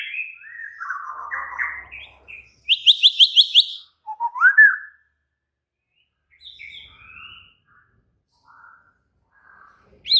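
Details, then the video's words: Agitated, excited White-rumped shama song: warbled low phrases, a fast burst of about six sharp repeated notes, a rising slurred whistle, then scattered soft notes and silence. "Murai batu langsung EMOSI TERPIKAT suara murai batu ngamuk AKTIF"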